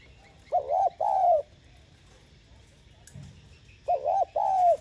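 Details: Spotted dove cooing to call and stir wild doves, sounded in two separate bursts of short, hollow, mid-pitched coos, each pair of notes rising then falling, with a quiet pause between the bursts.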